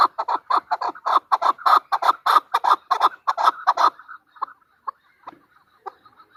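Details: Female chukar partridge with about four seconds of fast, loud, harsh clucking that stops suddenly, followed by a few faint, scattered notes.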